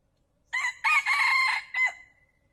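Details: Male wild red junglefowl crowing, a recording used as a lure for trapping: a short opening note, then a long, harsh, strained middle phrase and a clipped drawn-out ending, about one and a half seconds in all, over a quiet background.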